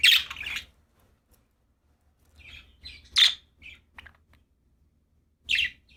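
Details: Happy budgerigars calling: a loud harsh chirp at the start, quieter scattered twitters and clicks, then two more sharp squawky chirps spaced about two seconds apart, otherwise near silence.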